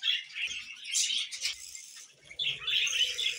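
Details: Budgerigars as pets giving high squeaky chirps and a harsh burst, a brief quieter gap, then renewed warbling chatter.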